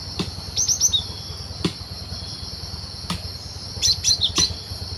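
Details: Wild cinereous tit singing, recorded for use as a bird-trapping lure: two bursts of quick, high, sharp whistled notes, one early and one near the end, over a steady loud cricket drone with faint clicks.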